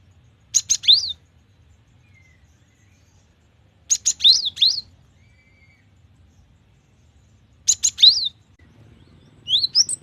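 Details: Cinereous tit (gelatik batu) singing gacor style: a phrase of buzzy notes ending in high arched whistles, repeated about every three and a half seconds, three full phrases and the start of a fourth, with silence between.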